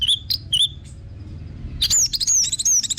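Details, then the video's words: Orange-headed thrush phrases meant as a lure for singing birds: a few short high whistles, a brief gap, then a run of rising and falling slurred notes. "PANCINGAN BURUNG ANIS MERAH BIAR TELER DAN GACOR"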